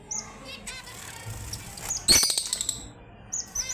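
Red avadavat giving high, thin twittering notes with a brief burst of sharp chirps and a soft flutter midway; faint background hum.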